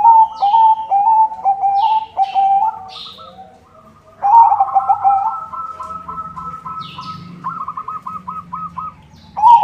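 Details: White zebra dove, kept as a lure for other zebra doves, singing a lively coo: bubbly trilled phrases near one pitch, with a second bird answering in a higher, evenly pulsed rolling series and faint chirps behind.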